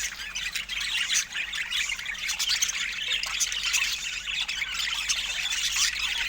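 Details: Budgerigars kept as pets warble and chirp nonstop, a bright, scratchy mass of quick high notes with occasional harsher squawks rising above it.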